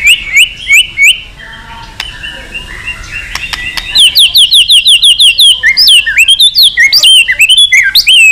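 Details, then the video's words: White-rumped shama song, varied in voice, meant to provoke shamas to sing and flick their tails; a few whistled notes, a quiet gap with clicks, then long runs of rapid repeated curving whistles. "Kích Chòe lửa hót nhiều giọng, Căng lửa, chòe lửa đánh đuôi kích cực nhạy.luyện chòe lửa hót nhiều"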